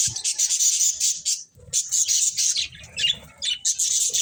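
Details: Loud budgie chirping: harsh, buzzy high warbles in long bursts separated by short pauses, with a few low knocks underneath.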